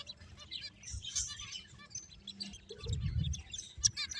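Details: Quiet finch chatter during play: soft high chirps and brief twitters from several birds, with a low rumbling thud near the end.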